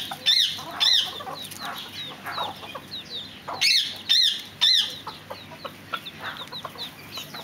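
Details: Fireback pheasants calling: harsh, ringing notes with a rising-falling shape, given in a quick run of two, then a cluster of three about half a second apart, over constant chatter from many other birds.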